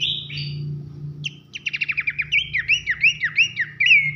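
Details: Pelanduk semak, Horsfield's babbler, in a loud nyiul masteran for contest-bird training: a drawn whistle, a quick dry rattle, then evenly repeated hooked, falling whistled notes over a faint low hum.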